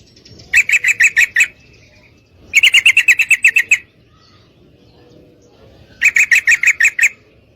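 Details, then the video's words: Female sooty-headed bulbul calling to a male for mating, used to provoke males into singing: three bursts of quick, grating, evenly spaced notes, each around a second long, separated by short silences. "Trucukan Betina Gacor Memanggil Pejantan"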